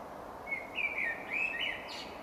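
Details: A Common Blackbird sings one unhurried, mellow, flute-like phrase of warbled notes, ending in a brief high squeaky twitter, with long pauses between phrases, over a steady background hiss.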